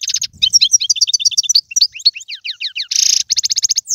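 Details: Algerian European goldfinch singing in the galoubi, serfati, mandolin and tiwawati styles, a fast unbroken chatter of sharp twittering notes, quick slurred chirps and a short buzzy rattle near the end.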